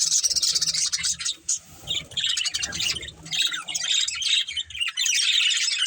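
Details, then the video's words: Several budgerigars kept as pets chirp together in dense, overlapping bursts of high buzzy warbling and squeaks, with brief pauses and faint low thumps beneath. "Cute Budgies Chirping Sounds"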